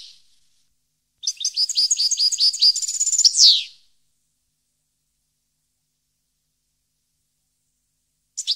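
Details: European goldfinch singing, 2015: a clipped phrase of quick chattering high notes that ends in a rough falling buzz, followed by silence and a brief note at the end.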